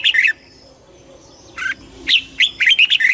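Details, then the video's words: Red-whiskered bulbul in competition and flock-calling song: a fast whistled phrase, a lull, then a string of sharp, bright, rising and falling notes building to a rapid finish. "TIẾNG CHIM CHÀO MÀO HÓT - HÓT ĐẤU - KÍCH BỔI - GỌI BẦY - LUYỆN GIỌNG"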